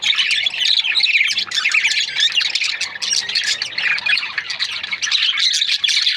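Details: Budgies in breeding pairs give a steady stream of harsh squawks and twittering chirps, many birds calling at once in a loud, unbroken chorus.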